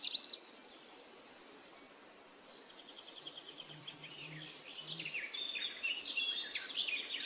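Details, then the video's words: Forest nightingale: a loud sustained high whistle opens, then a quieter gap with faint twitters, before rapid, sharply varied chirping phrases resume among other birdsong. "Magic singing of a nightingale"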